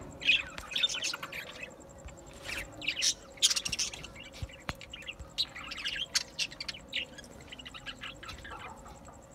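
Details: Budgerigar twittering: bursts of thin, high chirps and scratchy warbles come and go in clusters over a steady faint tone and hum.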